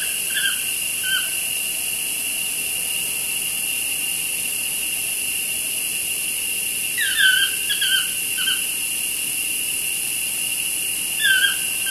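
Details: Outside a studio window, a pair of toucans exchanges short, downslurred yelps in small groups of two to four, separated by long pauses, with an unbroken insect drone behind.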